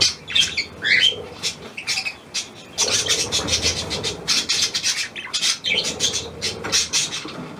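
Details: A newly arrived, hand-tame Australian pied budgerigar squawks and warbles, with a few rising whistled notes early on, then continuous rapid, rasping chatter.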